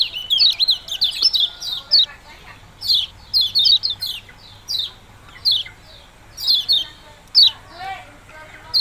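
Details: Ciak-ciak song of the yellow-bellied prinia, locally kecial kuning: bright, high, falling chip notes, quick groups early, then single chips spaced about half a second apart.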